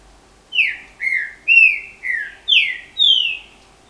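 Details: Green-winged saltator (trinca-ferro), a bred cage bird, singing its strong, loud canto guerreiro: six clear whistled phrases, each a slurred, mostly falling note, about two per second.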